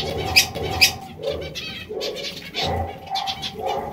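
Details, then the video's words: A group of zebra finches with repeated nasal beeping calls and a couple of sharp bright clicks near the start, the notes coming in uneven clusters. "Diamante mandarino | Zebra finches"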